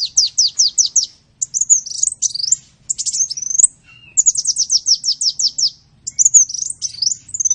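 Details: Sunbird song recorded as tutoring material for training songbirds: very high, thin bursts of rapid downslurred notes in quick series, alternating with twisting, squeaky whistled phrases and short pauses, one low brief note near four seconds.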